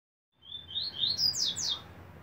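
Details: Double-collared seedeater; tutor song; model song for young birds to learn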